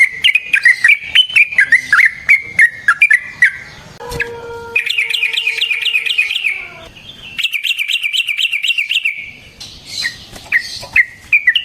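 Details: Sooty-headed bulbul singing a fighting song with long rolls and loud shots, meant to prompt other bulbuls to reply. Warbled chirps run into two long, even bouncing trills, with a brief whistled tone between.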